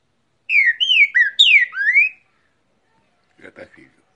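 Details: Cockatiel imitating trinca-ferro song with a burst of bright whistles that swoop up and down over about two seconds, then brief low murmuring sounds near the end.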